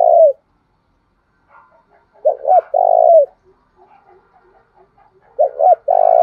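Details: Decoy spotted dove calling to make wild birds reply: two full phrases of a quick paired note and a long vibrating coo, with scattered faint soft notes between, possibly a distant second bird.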